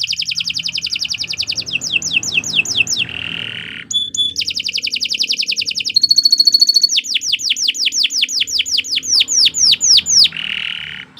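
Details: Canary singing a long, energetic song used as training material for other birds: fast trills of repeated high notes, sweeping descending whistles, buzzy rattles and a steady pure tone, the phrases changing every second or two.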